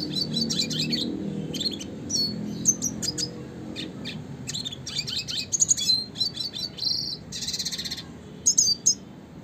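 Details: Red siskin in classic, lively song style used to train and tutor songbirds: rapid bursts of high thin chirps and buzzy trills, a longer sustained buzzy note near the end, with a low hum early on.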